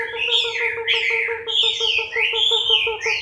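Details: Chinese hwamei in moult, October 2015, singing loud slurred whistles that rise and fall in quick phrases, over a steady low pulsing series of buzzy notes repeated several times a second.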